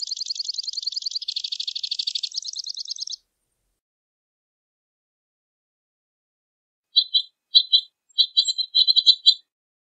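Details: Two-barred crossbill song: a dry, buzzy rapid trill lasting about three seconds, then silence, followed by short clusters of clipped high chirps.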